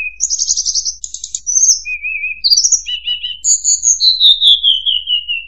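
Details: Trapping-lure song of a tledekan gunung: buzzy rattled trills, a low wavering warble, stuttered notes and a long steadily falling whistled glide at the end.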